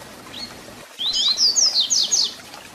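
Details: Double-collared seedeater (papa-capim) in 'Tui Tui Zel Zel' song style, a recording for teaching young birds: a thin high note, then a quick run of bright whistled slurs and rising-falling notes lasting about one and a half seconds.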